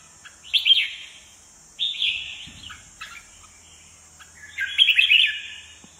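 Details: Red-whiskered bulbul, a kept bird, very aggressive, perch-dancing with fanned wings; three loud warbled phrases spaced by pauses of about a second or more, with a steady high hiss in the background.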